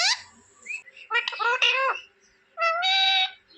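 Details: Talking pet parrot at home making chirping sounds: a quick upward squeak, then choppy, voice-like chattering notes, a pause, and a drawn-out nasal, buzzy call.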